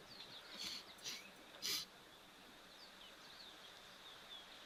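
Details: Many oxpeckers on a giraffe drinking at a waterhole on 10 December 2024, seemingly battling for the right spot on him; three short, harsh hissing bursts over faint high chirps and a steady insect drone.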